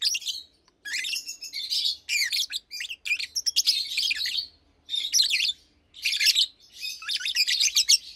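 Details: Caged pair of adult Fischer's lovebirds, one blue with white head and one pastel green, chirping by day: scratchy, shrill twitters and short rising squeaks in tight bursts, with a faint low hum beneath.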